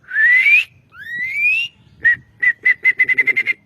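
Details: Asian pied starling song used to train songbirds: two long rising whistles, then a run of short whistled notes on one pitch, quickening toward the end.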